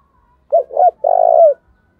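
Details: Decoy spotted dove, called the 'thổ' voice style, cooing to challenge other doves to fight: a pair of short curved notes followed by one sustained low coo lasting about half a second.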